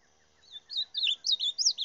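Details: Reina mora singing: a short, high, warbled phrase of quick looping notes that rises and falls, growing louder toward the end, in quiet surroundings.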